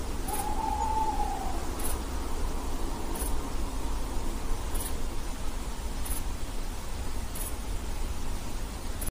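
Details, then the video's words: An owl gives a single drawn-out, slightly rising hoot near the start; after that only a low, steady rumble with faint regular ticks. "Satisfactory sound of owl"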